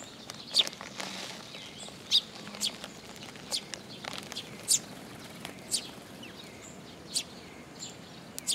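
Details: At a shrine feeding spot on a post, sparrows arriving on 26 June 2022 give short, high chirps spaced a second or so apart against a soft outdoor hiss.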